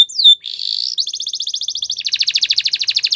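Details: Belgian canary in song, opening with a falling whistled note, then a buzzy sustained tone and rapid high repeated trills that quicken in rhythm toward the end.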